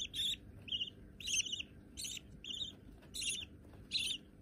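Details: Hand-tame budgerigar chicks, both white, giving short raspy chirps in pairs, a louder harsh note followed by a softer one, repeating through the short recording.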